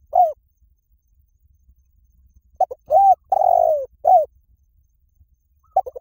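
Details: A spotted dove, heard as a lure call to draw in wild doves, gives soft, low cooing phrases: a few short hoots, then a longer drawn-out falling coo, repeated after a pause. Otherwise quiet.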